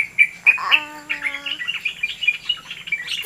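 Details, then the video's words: Yellow-vented bulbul in full, very active song: loud sharp whistled notes, then a rapid chattering string of short bubbly chirps, with a steady low hum-like tone under the first half. "BURUNG TRUCUK SUPER GACOR"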